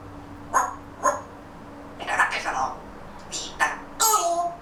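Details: Grey Parrot quietly babbling before its nap indoors: soft speech-like mumbling syllables in short groups, some scratchy and some voiced, ending in a longer raspy burst, with a faint steady low hum behind.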